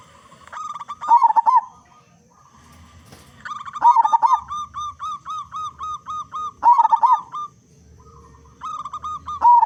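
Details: Local zebra dove with a big voice, used as a lure to make other zebra doves sing. Repeated cycles of stuttering coos, each leading into a long even series of short hollow notes, several times over ten seconds.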